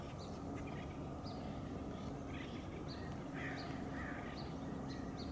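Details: Acorn woodpeckers giving harsh, raspy calls in short irregular bursts, several notes close together, over a steady low rumble and hum of background noise.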